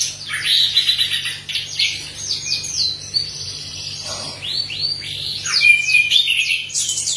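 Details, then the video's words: Orange-headed thrush in lively song, a track used as a lure for other birds: rapid sequences of high downward-sweeping notes and buzzy chatter, with a thin sustained whistle near the end. "Anis Merah Gacor Teler. Cocok untuk pancingan Anis Merah super ampuh"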